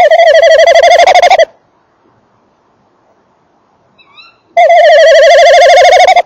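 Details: Male tawny owl by and in its nest box, female also audible: two loud, rapid, wavering trills separated by three seconds of quiet, with a faint high squeak in the gap.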